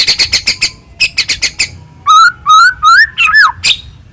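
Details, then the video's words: White-rumped shama singing as a lure to provoke another shama into song: rapid series of sharp chipping notes, then loud clear whistled phrases rising and falling, each about half a second long. "murai batu gacor AMPUH buat PANCINGAN murai batu agar bunyi"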